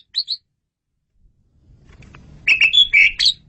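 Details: Asian pied starling singing vigorously on a tutor recording: two short high chirps, a pause, then a loud run of piercing whistled and rasping notes over a faint low rumble.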